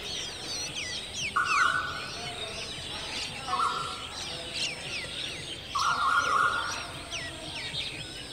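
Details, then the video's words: Striated babblers with eggs and chicks give a stream of thin, high squeaky slurred chirps, while a flat mid-pitched droning tone sounds three times over them. "Striated Babbler, Eggs & chicks || Moms Love"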